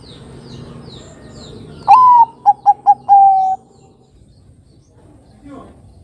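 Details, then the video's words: Perkutut Bangkok, a zebra dove strain, sings a lure song meant for young birds to copy: a long rising note that levels off, three quick clipped notes, then a long steady final note, all on one mid pitch, over a faint background. "Pancingan Suara Burung Kutut Perkutut Bangkok Gacor Ini Mudah Ditiru Kutut Bangkok Remaja Agar Bunyi"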